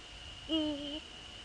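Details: Eurasian eagle-owl at night in the Netherlands, 15 February 2013 at 04:40, male visiting female nearby: a single half-second call, deep and harmonic, sliding up then held flat before breaking off, against a constant thin hum.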